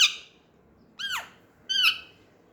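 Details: Harsh, buzzy squawks from baby green Indian ringneck parakeets playing together with an Alexandrine parakeet. Three raspy calls, one sweeping downward, the others level and grating, spaced under a second apart against faint background hiss.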